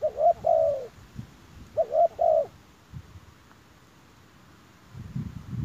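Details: Spotted dove calling to lure wild doves: two brief phrases of soft paired coos, then quiet with faint rustling and a low rumble of handling noise.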